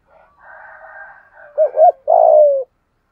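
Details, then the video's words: Decoy spotted dove used for luring, voice style known as giọng thổ. Soft distant cooing first, then the bird's close, low phrase: two short wobbling notes and a drawn-out falling coo. "Tiếng chim cu gáy kích bổi nhanh nổi hiệu quả - Chim Cu Mồi"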